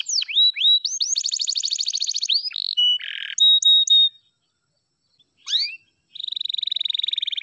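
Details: F2YS canary song made of upslurred whistles, a rapid high trill and a lower buzzy burst, then a few clear notes. A silent gap follows before rising notes and a long steady rattle-like trill.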